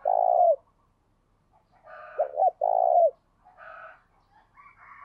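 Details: A trained decoy spotted dove giving 'gáy sung' coos. The tail of one long coo, then one complete phrase of two short notes and a drawn-out low coo, with soft murmuring calls and a few high chirps around it.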